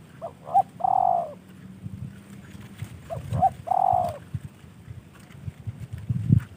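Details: Hand-tamed spotted dove, a gift from a fellow bird keeper, utters two cooing phrases. Each opens with two brief notes and ends in a long, smooth, gently descending coo, followed by quiet low rumbling and faint knocks.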